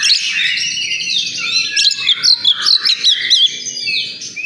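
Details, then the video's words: At a singing contest ground, oriental magpie-robin song pours out as a busy tangle of high chirps and bright whistled slurs, with a steady low hubbub of people beneath. "Suara kacer di area lomba"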